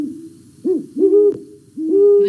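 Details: Great Horned Owls, a male and female pair currently nesting, in duet: three deep, soft hoots spaced about half a second apart, each with a slightly rising then falling tone.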